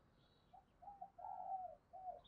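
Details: Spotted dove decoy bird cooing to draw in new wild birds: a short soft note, then smooth, low, mellow coos, one long drawn phrase and a final falling coo, over quiet rural background.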